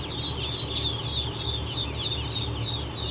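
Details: Chorus of three-day-old ducklings on a farm in Eastport, NY: many thin, high cheeping notes tumbling over one another without pause, with a constant low droning hum underneath.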